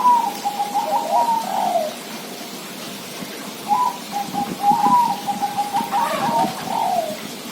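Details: Perkutut, or zebra dove, giving two phrases of quick trilled coos that fall at the end, separated by a pause, with light pattering noise in the background.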